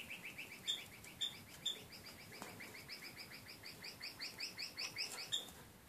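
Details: Young yellow-rumped mannikins (Lonchura flaviprymna), the first two young out on a perch, give a steady run of thin, high chirps, several each second, with a few sharper, higher squeaks cutting in at intervals.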